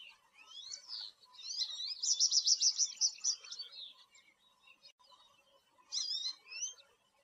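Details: American goldfinch singing: a high, sweet twittering phrase with a rapid run of repeated notes in the middle, a pause, then a short squeaky twitter near the end, over a faint low background hum.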